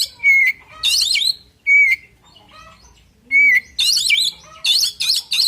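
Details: Oriental magpie-robin giving an aggressive fighting song: clear rising-then-falling whistles answered by loud, harsh, looping warbled phrases, repeated in quick succession.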